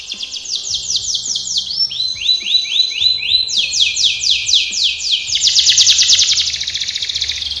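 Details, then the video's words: Singing canary in a training song, moving through several tours: fast falling trills, a row of rising slurred notes, then a dense buzzy roll, with a faint low hum behind. "canary singing / canto Canario cantando | canary training song"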